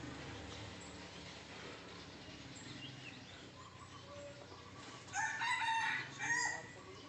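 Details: Young red junglefowl lured in Sumatra with a decoy bird: a long quiet stretch of faint forest background, then a brief harsh two-part crow near the end, sounding somewhat distant.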